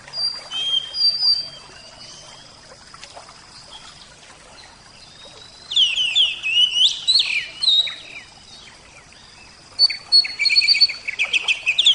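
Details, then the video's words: Javan oriental magpie-robin (kacer jawa) in a therapy recording, singing in separate bursts: bright whistles and sweeping chirps, a long pause, a rich tumbling phrase, another pause, then quick scratchy note series at the end. "terapi kacer suara air"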